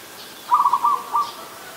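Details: Adult zebra dove, Ubon Ratchathani, Thailand, 24 December 2020: a stuttering phrase of three tight groups of soft, rapid coo notes, the last brief, over a quiet background.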